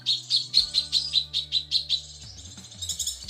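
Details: Female cucak kinoi calling the male, used as a tutor recording for cage birds: about a dozen sharp, high chirps in a steady run. Near the end they turn to brighter, faster notes over soft background music.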